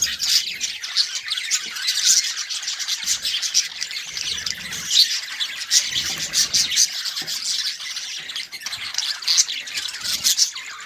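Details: A pet family of Budgerigars (Melopsittacus undulatus) chatters nonstop in a dense stream of high, scratchy chirps and squawks.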